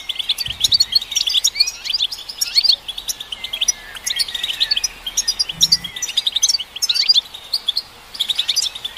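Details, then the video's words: European goldfinch singing to stimulate goldfinches, delivering quick bubbling twitters and jingling trills in long bursts separated by brief gaps, with occasional faint low thumps. "Golden Songbird vocal performance to stimulate the goldfinch"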